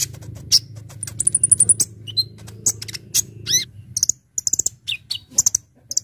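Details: A Brown-throated sunbird in energetic full fill-in song used for bird luring gives scattered sharp ticks, a thin high trill, short descending slurs, and crisp high notes in quick irregular bursts.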